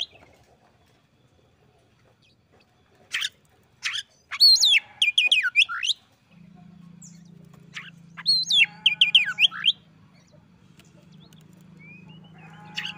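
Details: Oriental magpie-robin answering a rival: a few sharp clicks, then a dense run of swooping whistles, a steady low hum starting midway, and a second burst of rapid whistled notes.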